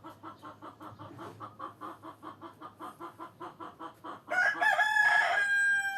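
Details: Hens cluck in an even pulsing series for about four seconds, then a rooster bursts into a loud, sustained, strongly harmonic crow that carries to the end.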